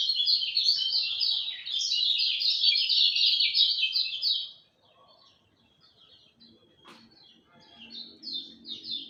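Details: Lemon-bellied white-eye singing at dawn: about four seconds of rapid, high, sweet twittering of downslurred notes, then near silence with a faint low hum and a few soft distant chirps.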